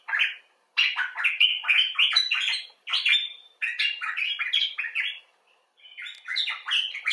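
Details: Common bulbul, talking in the expressive style of rescued and wild birds: continuous bubbling chatter of quick slurred and warbled notes, grouped into bursts of about a second or two with short gaps.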